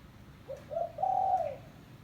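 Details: Spotted dove, locally tekukur, calling as a lure for trapping doves: two short low coos followed by a longer drawn-out coo, soft and hollow.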